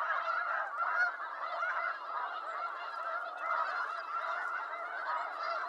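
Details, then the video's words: Snow geese in eastern North America calling together, a continuous wall of harsh honking notes from many birds layered over one another. "Snow Goose Sounds"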